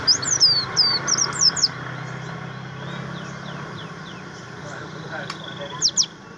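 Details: Javan grey-throated white-eye in materi song, kept bird: a quick string of high, sharp chirps at the start, then mostly low background noise with a couple of faint chirps near the end.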